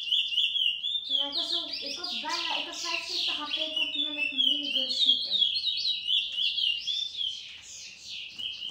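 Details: Picolet song recorded in 2018: a continuous, rapid high twittering of trills and warbled notes, dense and varied throughout, with a person's voice speaking over the first half.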